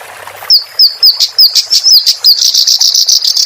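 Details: Song of a clamorous reed warbler, recorded as training material for caged songbirds. A series of sharp, downslurred high whistles about three per second gives way to a rapid, rattling trill of buzzy notes.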